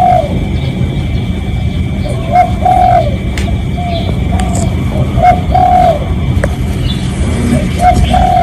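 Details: Genuine spotted dove decoy call to bring in other doves: repeated low coo phrases roughly every few seconds, short notes leading into longer ones, with background rumble and a few sharp clicks.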